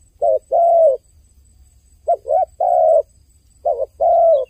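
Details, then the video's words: Soft low cooing from a crying dove: a short note then a long smooth coo, followed by two phrases of a wavering double note and a sustained falling coo, with brief silence between. "The sound of a dove crying សំឡេងសត្វលលកយំ"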